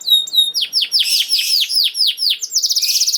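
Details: Canary song for teaching young canaries: a high whistle, then a run of strong descending sweeps about every quarter second, ending in a fast buzzy high trill.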